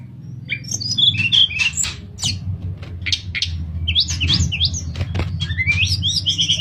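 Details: Sooty-headed bulbul giving its flute-like nyuling song for training other birds; quick chirps and rising whistled notes come in busy runs, set against a noticeable low rumbling background.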